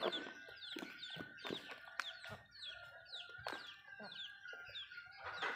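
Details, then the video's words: Backyard Malay chickens eating food at home: sharp broadband pecking clicks at irregular intervals, with many high, quick, downward-sliding peeping chirps throughout and a steady faint tone underneath. "Chicken malayo asmr nice but nonuse sound eating food"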